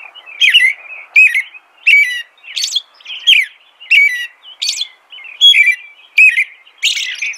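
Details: Steady caroling by an American robin: rich whistled phrases delivered without a break, rising and falling, some ending in a high hissing chirp, coming a little faster than one per second.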